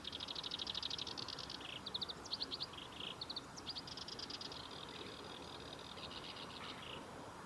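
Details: Japanese bush warbler recorded at the Kita-Fuji training area, Japan, 23 July 2021: rapid series of high, clipped repeated notes in bursts, speeding and pausing over several seconds, against a steady hiss of background noise.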